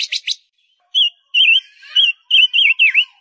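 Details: Song of a female Gouldian finch serving as a lure bird: a few fast buzzy pulses, then a sequence of wavering, undulating whistles, the last one dipping sharply. A clean recording with nothing else audible.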